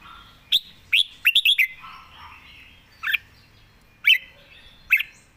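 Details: Red-whiskered bulbul in a cage, a keen singer, giving a quick run of bright chirps followed by spaced single sweet notes about once a second.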